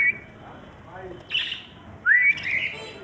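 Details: Budgerigar, pet bird, giving short rising whistled calls around a sharp upward sweep, with a brief buzzy chatter burst between them and faint background noise.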